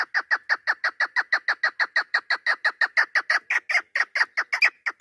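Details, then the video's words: Female hunting chukar partridge, recorded 3 May 2025: a steady, fast sequence of raspy chuck calls, roughly three per second, growing slightly louder and sharper toward the end, with no other sounds. "Овози модакабк // Модакабки шикори // Садои модкабк // Keklik sesi mada shikari"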